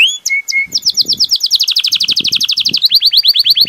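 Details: Song of a Belgian canary: two short whistles, then a long, rapid, even trill of bright high notes that shifts to slightly lower, faster slurred notes near the end. Faint low rustling underneath.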